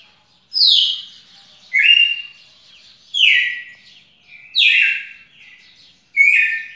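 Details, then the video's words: Red-cowled cardinal recorded on 18 June 2021, delivering bright descending whistled phrases and flatter buzzy notes in alternation, about one every second and a half, each ringing briefly afterward. "Galo-de-campina fantástico"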